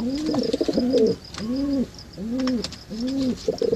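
Rock Pigeon giving low, soft, rolling coos, each about half a second long, repeated roughly every second; faint room noise behind.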